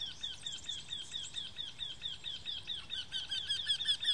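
Eurasian wryneck giving a fast run of high, slightly nasal repeated notes, about two or three each second, over a light background hiss.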